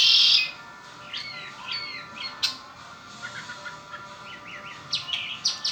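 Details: A pet red-winged blackbird: a short, loud buzzy burst opens, followed by scattered thin chirps and upslurred whistled notes that come and go over several seconds.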